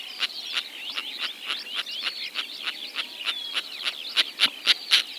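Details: Kazakhstan, 2025: eight Sociable Lapwings give quick, harsh, repeated clicking calls over a steady wiry chatter, with the last few rasps markedly louder and more evenly spaced.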